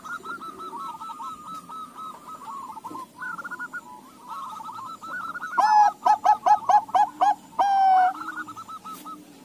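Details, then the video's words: Bangkok-local crossbred zebra dove with many doves calling in reply. Faint rolling coos from distant birds come first, then a loud near bird gives a rapid series of short purring coos and a long final note. "Perkutut BANGKOK LOKAL CROSING NYAHUT SEMUA"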